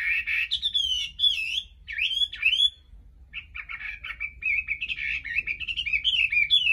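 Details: Loud varied Chinese hwamei song, used to prompt a bird to sing without a female: bright looping whistled phrases with sharp upward slurs, a short break, then a fast continuous chattering warble.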